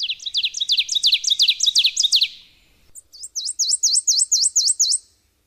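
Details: Subalpine warbler (Sylvia cantillans) song: a two-second run of rapid, high, scratchy repeated notes, a brief pause, then a second series of sharp, evenly spaced, rising notes.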